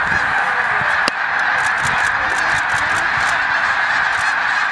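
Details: Snow geese gathered during migration at Middle Creek, Pennsylvania, create a steady roar of countless overlapping honks, with a single sharp click near the one-second mark.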